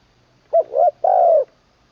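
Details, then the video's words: Spotted dove kept as a decoy bird and trained to sing, third session, a full middle-voiced song: two quick mellow coos followed by one drawn-out descending coo, over a faint low hum. "ฝึกนกต่อ เจ้าเพชรบุรีรัมย์ แดนอีสาน ครั้งที่ 3 ตามหมาย 1เดียว ขันลงกุกวัย เสียงกลางเต็ม"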